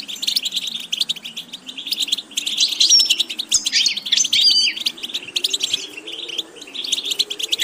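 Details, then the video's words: European goldfinch producing a dense, high twitter of chirps and buzzy trills, with a thin whistle and a slurred phrase near the middle, steady background hum throughout. "Watch how to develop a distinctive vocal character for the Goldfinch"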